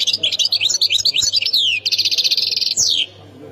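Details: Continuous European goldfinch song from Khemis Miliana, Algeria's Ain Defla province: quick sliding twitters, a fast buzzy trill, and a final downward-swept note before stopping, with a soft low hum underneath.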